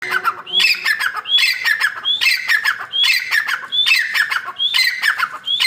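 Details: Female black francolin calling, used as a hunting lure: harsh, squawky notes broken by a high, rising whistled slur that repeats about once a second. The series runs steadily with no other clear sounds.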